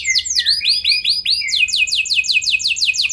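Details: Canary singing in lively form, used as a lure to get other canaries to respond; a continuous, loud run of fast repeated whistled notes, first looping slurred phrases, then a rapid trill of steeply falling notes.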